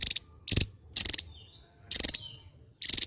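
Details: Javan white-eye from Java singing ngebren style: short loud grating rattles, each a quick run of pulses, about one per second, with a faint whistle in a pause.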